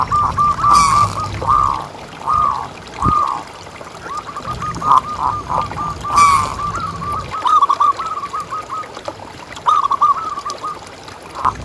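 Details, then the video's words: Local zebra dove famed for loud, steady calling, used as a lure for other doves: repeated hollow cooing phrases throughout, rapid notes breaking into rolled coos, with two short bursts of noise. "Suara Paling Ampuh Untuk Pancingan Burung Perkutut Agar Bunyi Terus"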